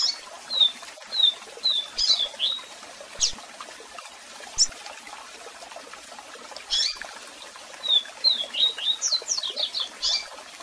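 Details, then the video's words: Double-collared seedeater with strong song and calls for song training: a string of short whistled notes and chips, a long pause with scattered chips, then another fast burst of slurred whistles and steep sweeps, over steady waterfall hiss. "Cantão Forte e Diferente Com Piados e Som De Cascata Ótimo para Manejo de Canto e Fibra!!!"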